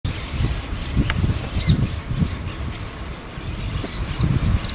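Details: Cattle tyrant on the Paraná River shore. A few thin, high, sharp notes come in a short burst near the end, over steady low rumbling from wind or water.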